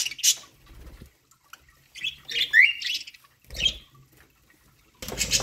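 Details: Budgerigars at corn give scattered chirps, including one rising warbled note, between quiet spells, ending in a burst of rustling noise.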